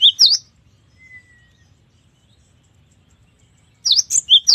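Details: Cinereous tit chirping in full, varied song: a pair of high, sharp V-shaped notes, a faint falling whistle, a long quiet gap, then a fresh quick run of piercing chirps.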